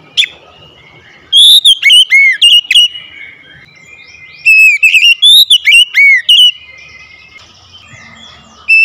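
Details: Oriental magpie-robin kept as a house bird, song restored after going quiet: rapid series of loud whistled phrases, swooping notes and sharp chips in two long bursts, varied and rich.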